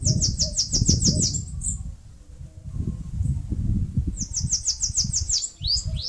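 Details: Two songs from a Bananaquit nesting in a mandacaru cactus, northeast Brazil. Each is a rapid, hissing train of high, thin slurred notes. A pause of about two seconds separates them, over steady low rumble.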